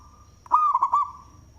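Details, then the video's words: Loud local zebra dove, singing and considered good as a lure: one short phrase of rapid, bubbling coos that start abruptly, with a faint lower coo lingering behind and a thin high whine in the background. "Perkutut Lokal suara BESAR Manggung"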